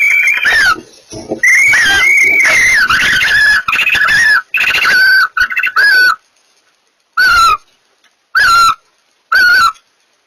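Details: Barn owls during mating: a dense run of wavering, harmonic chirrups and longer rasping notes, then three short separated calls near the end.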